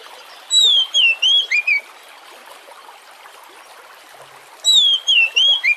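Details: Oriental magpie-robin song played as a lure to prompt other birds to sing: two identical phrases of clear, wavering whistles ending in a dropping note, about four seconds apart, with soft hiss between.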